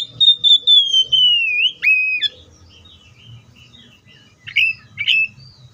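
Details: Pure descending whistle from an Oriental magpie-robin, followed by a sudden lower note with an abrupt upward flick. Short chirpy phrases come later, over a soft low rumble.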